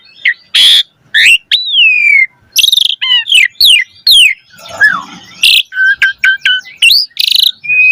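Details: Song of a caged Asian pied starling, played to teach other captive starlings: bursts of harsh noise between falling whistles, a low swooping note midway, then a quick string of short clipped notes and a final level whistle.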